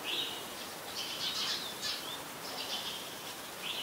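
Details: Streak-eared Bulbul, a very common resident, recorded in Ubon Ratchathani, Thailand, on 22 July 2022: short bright chirpy notes in quick bursts, repeated several times over a steady hiss of background noise.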